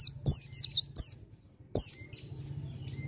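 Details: Pleci dakun white-eye in ngalas song, almost nembak: a rapid run of high, wavering, falling chirps, a brief gap, then one more sharp descending phrase over a low hum.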